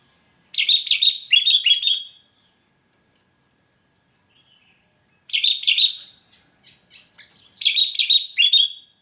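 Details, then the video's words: Sooty-headed bulbul calling to lure wild birds and challenge rivals: three bursts of bright, bubbly chirping phrases, each about one and a half seconds long, separated by quiet gaps. "Kutilang berbunyi memancing burung Liar gacor"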